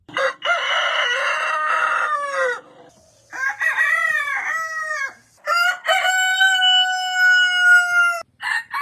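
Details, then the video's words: Aseel cock crowing: a rough, rasping first phrase, then shorter wavering notes, and finally a clear, long held crow lasting over two seconds. "Aseel crowing completion"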